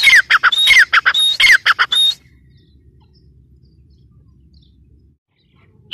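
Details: Teetar, the grey francolin, utters a burst of strident, squeaky notes for about two seconds, followed by near silence with faint low background hum.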